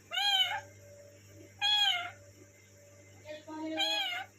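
A parrot gives three drawn-out, nasal, meow-like calls, each about half a second long and spaced roughly every one and a half seconds, over a faint low hum.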